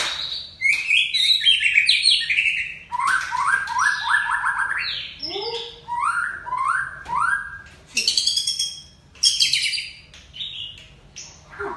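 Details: White-rumped shama of the Aceh type singing rapid series of repeated rising whistled notes, several per second, broken by buzzy chatters and clicking phrases.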